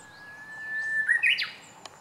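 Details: Japanese bush warbler (Horornis diphone), first song of the season, recorded 19 March 2016: a long, steady, level whistled note that ends in a short, quick, louder flourish. The flourish rises and then drops sharply. Background is quiet.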